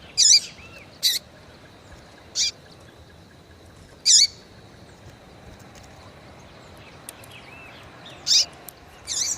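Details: Female Yellow-bellied Seedeater calling to excite and stimulate males: short, sharp, high chip notes at irregular intervals of one to two seconds, about six in all, over a quiet background.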